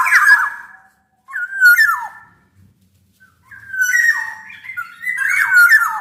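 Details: Black-naped oriole singing as a tutor and lure recording. Mellow whistled phrases slide and twist, with long silent gaps between the bursts. A faint low hum is heard in the background.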